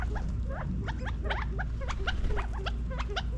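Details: Feeding California quail in a Las Vegas, Nevada backyard, fall 2022: a busy run of sharp upward chirps and short clucks, several per second, from multiple birds over a low background drone.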